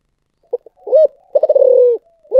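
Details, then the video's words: Spotted dove singing in the prized 'thổ sấm' voice style: two brief soft notes, a rising hollow coo, then a quick stuttering pulse of notes that slides into a long, smooth, falling coo, with a further coo starting at the end. "cu gáy giọng thổ sấm// chim cu gáy giọng thổ sấm chuẩn nhất"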